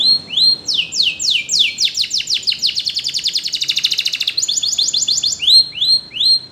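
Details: Training song of a canary: upswept whistled notes give way to a fast rolling trill that speeds into a dense rattle of descending strokes, then slows to looping rising whistles again; high-pitched, loud, with faint low background hum.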